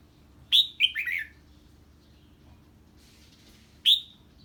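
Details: Red-whiskered bulbul giving 'ché' song when a strange bird appears: a rapid cluster of three or four sharp, bright, slurred notes, a quiet gap, then one more loud high chirp.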